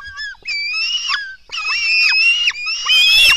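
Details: Black stork nestlings beg at the nest while being fed at dawn on 24 June 2016. A few drawn-out, whining squeals, each rising then dropping, run together with almost no gaps.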